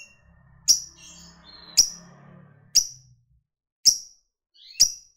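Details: ['Fighter lovebird giving sharp, very high piercing chirps, five in all, spaced roughly once a second, each abrupt and quickly fading, with a soft low hum early on.']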